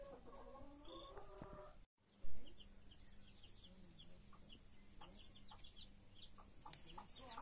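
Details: Broody hen with her chicks: low, harmonic clucks in a quick series over the first two seconds, then high, thin chick peeps that slur downward and are scattered throughout, over a steady low hum.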